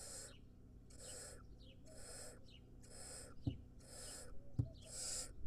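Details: A wild barn owl nestling hisses over and over, with each rough, noisy burst coming about once a second. Faint thin chirps of small birds and a couple of soft knocks sound between the hisses.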